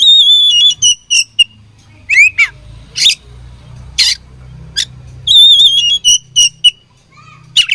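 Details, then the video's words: Indonesian oriental magpie-robin, fighting, repeating quavering high whistles and sharp clicks, with swooping downslurs and loud grating bursts, all over a constant low mechanical hum. "Beautiful Chirping Sound Of Fighting Birds"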